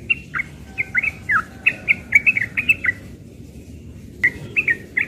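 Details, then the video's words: Young yellow-vented bulbul giving its rapid ropel song in the morning: a fast run of bubbly whistled chirps, a short pause, then a few more notes after a sharp click. "Trucukan muda ropel pagi"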